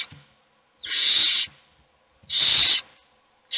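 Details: Two loud, drawn-out hissing screeches from hungry owl chicks begging in a nest box, each lasting over half a second.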